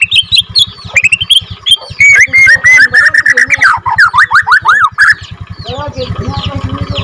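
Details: Borneo white-rumped shama, second generation in captivity, delivering an extended rolling song meant to rouse other shamas: fast whistled notes and quick swooping slurs over a steady low pulsing drone throughout.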